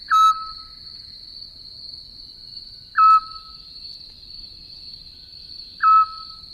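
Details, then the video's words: Eurasian Scops Owl song, a characteristic sound of the Mediterranean spring: three short, mellow whistled notes, evenly spaced about three seconds apart, over a steady high-pitched buzzing drone throughout. "E agora vamos ouvir o canto do mocho pequeno de orelhas."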